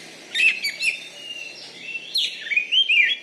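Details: Caged kacer, a champion Oriental magpie-robin from Bengkulu. Short sequence of thin whistles and slurred notes, then a wavering, warbled phrase that rises and falls.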